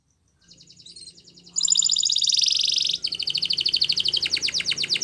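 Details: Spanish Timbrado canary singing a training song for canaries: a soft rapid trill, then a loud, dense metallic rattle, followed by a clear, rhythmic run of bright repeated notes, about four per second.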